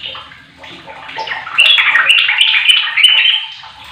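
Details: Sooty-headed bulbul, played as a lure to make a silent bird sing: dense, bubbly, jumbled chattering notes that swell loudly after the first second and a half, with sharp clicks and a watery, splashing texture throughout.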